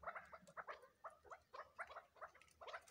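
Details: Crossbred chukar chicks give bursts of short, gurgling clucks in loose groups roughly every half second, a rolling, chattering rhythm with a faint low hum behind.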